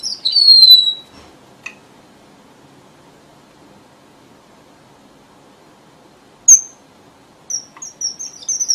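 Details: Red avadavat lure song for trappers: a high falling whistle opens, followed by a long quiet gap, a lone sharp chip, and a few faint high twittering notes at the end.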